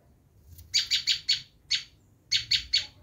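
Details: Bar-winged prinia giving its screaming call, used to lure wild prinias: harsh, buzzy, high chattering notes in quick bursts of three to four, with a short pause between groups. Faint low rumble beneath.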